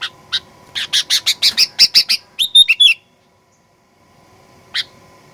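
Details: Sooty-headed bulbul in fighter-style lure song meant to provoke rivals into aggressive singing: a fast run of about a dozen harsh chattering notes ending in ringing whistled notes, then a pause and one last chirp.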